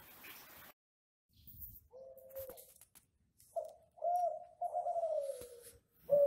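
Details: Ringneck dove of the classic Kelantan type from an Indonesian breeder, its song used as a training recording to get other doves singing; short low coos and a longer drawn-out, slightly falling coo, after a brief burst of noise at the start.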